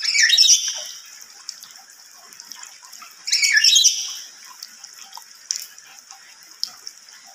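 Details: Lory giving loud, shrill screeches, two harsh bursts about three seconds apart, each lasting under a second, then quiet with faint background hiss.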